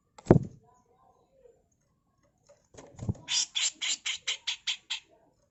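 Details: Master tutor recording of a female Grey-cheeked bulbul in 'full mbeset kasar' style: a couple of knocks, then about ten loud, harsh, buzzy notes fired in a steady rapid string.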